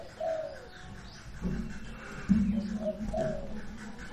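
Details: A newly bought captive owl ("sirtu"), played as a lure to make other owls call, gives soft, low hooting coos: a few short notes about a second apart over a faint background hum.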